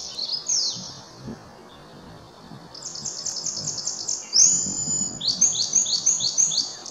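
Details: Song sparrow at Cranberry Lake, dated 5 8 18, sings a bright, high phrase: sweet opening notes, a buzzy trill, then a quick run of repeated down-slurred chips, over a soft background hum.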